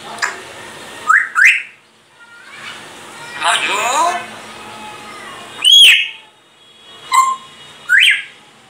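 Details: Grey parrot mimicking human speech, repeating phrases such as Allahu akbar and La ilaha illallah and imitating coughing; short voice-like syllables, a stretch of garbled talk, then several sharp rising whistled notes.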